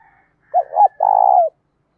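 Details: Cooing of a spotted dove used in training to provoke rival doves, delivered in the 'thúc dút' manner with a 'đồng' voice tinged with 'thổ'; two short rounded hoots followed by one long, vibrating, slightly falling coo, no other sounds.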